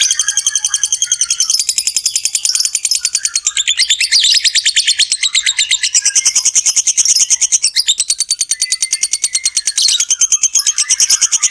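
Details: Lovebird giving a long "ngekek panjang" chatter, used as a lure to stimulate other lovebirds to sing. It is a continuous, high, rattling trill of rapid pulses that runs unbroken for over eleven seconds, with brief shifts in pitch.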